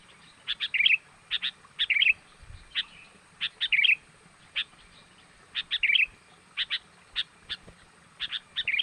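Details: Sooty-headed bulbul giving a lure call to attract wild birds. Sharp single chips, spaced roughly half a second apart, are broken now and then by short, bubbly warbled phrases.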